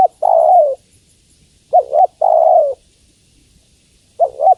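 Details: Female spotted dove calling to the male: low, mellow coos with long, slightly falling notes alternating with short double-pulsed coos. Quiet background.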